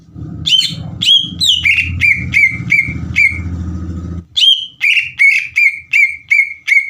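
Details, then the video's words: Green leafbird in full song, played to provoke other leafbirds into singing back: series of loud downslurred whistled notes repeated about three per second, a brief pause, then another run, over low rumbling background noise in the first part. "PANCINGAN CUCAK IJO GACOR AGAR CUCAK IJO BAHAN IKUT BUNYI"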